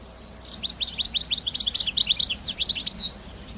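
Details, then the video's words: Wild goldfinch in open countryside delivering a quick, jangling song of high tinkling notes and buzzy twitters, roughly two and a half seconds long, steady in loudness, against a low, constant background hum. "تغريد طائر حسون خلوي سوفاج في برية"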